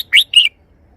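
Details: Caged red-whiskered bulbul voicing two quick, bright notes, the first rising and the second level then dropping, part of its three-syllable song, followed by silence.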